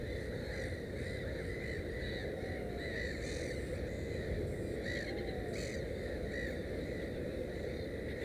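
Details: At a nest with three chicks, a black-headed gull utters scattered short, harsh, rounded call notes with a few sharper clicks, set against continuous low-frequency background noise.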